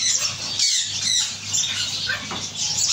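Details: Pet talking macaw gives harsh, raspy squawks and chatter in uneven bursts about twice a second, over a low steady hum.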